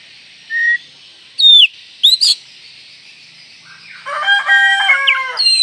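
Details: Oriental magpie-robin call meant to provoke rival magpie-robins: a few short, loud whistled notes dropping in pitch, with a harmonic rooster crow in the last two seconds.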